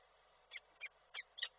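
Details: Peregrine falcon in Koszalin, Poland, picked up by a nest webcam on 12 December 2023 as the male called to the female. Four short, harsh, slightly nasal notes in quick succession, a rasping chatter over a steady electrical hum.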